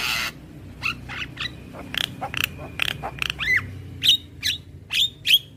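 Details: Young Javan mynas are meant to learn from this daily tutor song: spaced clicking notes build into looping whistled arcs and bright chirps, separated by short pauses.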